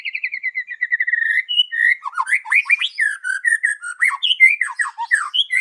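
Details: Morning song of a white-rumped shama, played to lure birds: opens with a series of steady repeated whistles, then breaks into fast, varied warbling phrases mixing clear whistles and sharp chips.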